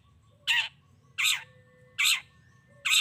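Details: Long-tailed shrike played to provoke other shrikes into answering: loud harsh rasping notes repeated about every 0.8 seconds, with faint thin whistles in the background.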